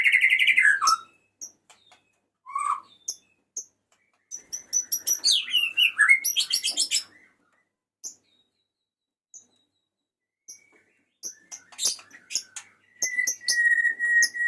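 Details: Male white-rumped shama singing to call a female: bursts of varied, rich whistles and sharp chirps, some slurred phrases sweeping up and down, separated by short pauses, ending with a steady sustained whistled note.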